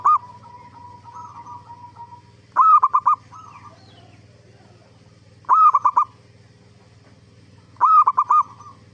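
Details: Zebra dove song used as a lure for others of its kind to answer. Quiet cooing murmurs open, followed by three loud phrases of rapid, clipped coos roughly every two and a half seconds.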